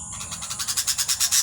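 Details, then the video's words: Baby birds in a nest give harsh, raspy chirps that repeat rapidly, about seven per second, growing louder through the short burst. "Baby birds nest"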